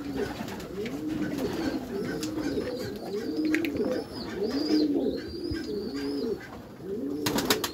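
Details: Steady chorus of Meulemans racing pigeons in their backyard loft: rhythmic, rounded coos about once a second, thin high whistles above, and a burst of clattering near the end.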